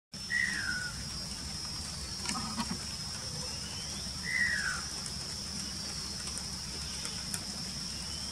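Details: Greater racket-tailed drongo with only one tail racket left, at Cha-am, Thailand, giving two clear, falling whistled notes a few seconds apart, over a steady high insect drone and low background rumble.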